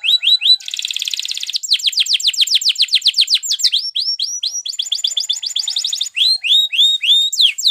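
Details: Male-style Spanish Timbrado canary training song: varied tours of rapid descending whistled notes, a dense metallic trill, then quick repeated sweeps, all high-pitched and continuous.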